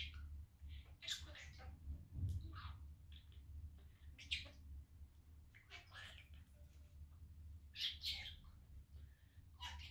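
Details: Pet male budgerigar talking and playing at home on a sunny day; scattered clusters of scratchy chirps and mumbled speech-like notes with short quiet gaps, steady low hum in the background.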